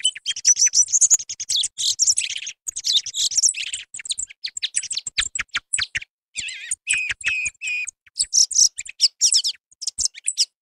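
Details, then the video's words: Hunting lure of a singing song thrush (Turdus philomelos): high, clear notes and fast chattering phrases pour out steadily, with a few short pauses and some lower, more whistled notes near the middle. "صوت السمن للصيد -السمنة المغردة- Song Thrush - Tordo Bottacio - Hunting Sound"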